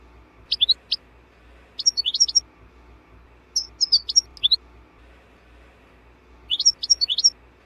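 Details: European goldfinch song meant for teaching cage birds, delivered as four separate bursts of rapid high twittering notes, each lasting under a second with pauses between, against a soft low hum.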